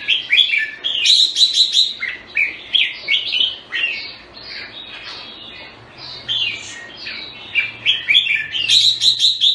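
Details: Red-whiskered bulbul, called jambul, from Singapore, with a long run of quick chirpy, bubbling notes, some sharp and bright, easing briefly midway before resuming; faint low background hum.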